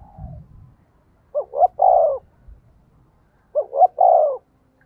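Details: Spotted dove kept as a decoy, cooing to attract others: two identical three-note coo phrases about two seconds apart, each with a long mellow middle note, over faint low rumbling background noise.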